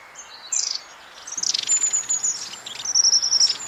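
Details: Long-tailed tit calls, short and high-pitched, given to keep in touch with the group; a brief buzzy burst, then a run of rapid trilled notes and a thin high whistle over background noise.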